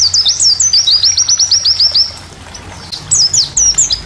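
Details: A white-eye (pleci) in a song-training recording sings a rapid, high twittering run of thin down-slurred notes, then pauses and resumes with bright trills.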